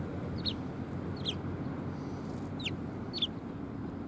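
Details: At a Tenmangu shrine on 18 December 2020, sparrows come to be fed, uttering four crisp, short downward chirps spaced about a second apart against low background noise.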